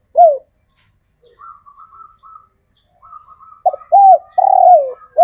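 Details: Local male spotted dove (tekukur), a kept bird taken from the wild, calling to attract females. A clipped coo opens, then after faint higher notes comes one full four-note phrase: short note, coo, long descending drawn coo, final coo.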